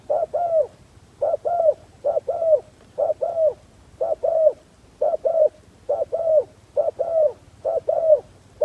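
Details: Decoy spotted dove cooing to attract wild doves: a long run of paired notes, a quick low hoot then a drawn-out falling croo, repeated about once a second, with light background rumble.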